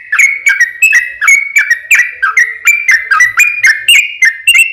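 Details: Energetic 'ropel panjang' song of a yellow-vented bulbul, meant to coax others into singing back; clear whistled notes, each sliding down, repeated about three times a second in a steady string.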